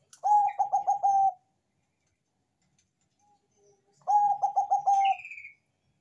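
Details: Loud-voiced Bangkok-type zebra dove, used to trigger singing in other doves, repeats a phrase of about six quick, bubbling coos twice, separated by roughly three seconds of near silence, with a faint higher chirp at the end.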